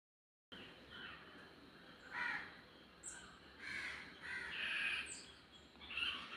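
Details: Crows cawing while eating food: after a moment of silence, harsh nasal caws come singly and in short bursts, growing longer and louder toward the middle, with scattered sharper squawks above a low outdoor background.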